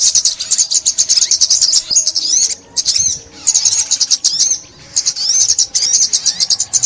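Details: Sunbird (ốc mít), 2021 bird trapping, delivering bursts of very high, rapid chattering trills and rising slurred whistles separated by several brief silences.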